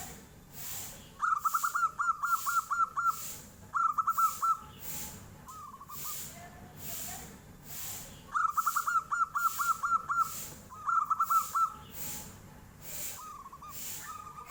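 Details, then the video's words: Local zebra dove, perkutut lokal, singing in the flute-like nyuling style, answering as a tofu seller passes: high, bright trilled phrases of quick beaded notes, repeated in bursts, with pauses and softer trailing notes between. "SUARA NYULING || KOK BISA TUKANG TAHU LEWAT, PERKUTUT LOKAL LANGSUNG NYAUT BEGINI"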